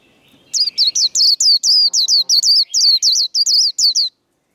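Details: White-eye in a singing contest, the fiery competition style called líu đấu: a loud run of about fifteen rapid, high, bright whistled notes, each sweeping down then rising, packed into three and a half seconds, with faint low rustling underneath.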